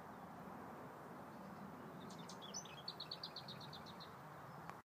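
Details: A lesser whitethroat singing at Woodoaks Farm gives a brief scratchy warble, then a dry, rapid rattle of about eight notes on one pitch, over a steady roar of distant traffic.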